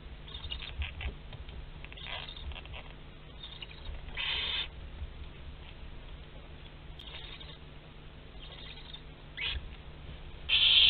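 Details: Barn owls in a nest box at Théding, France, 27 April 2021, as prey wanders in the box; soft scratchy rustles and brief hissy bursts, ending in a loud sustained screech, over a low hum.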